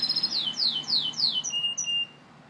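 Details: A Gloster canary sings a phrase of five clear downward-slurred whistles repeated about every quarter second, ending in a short steady whistled note.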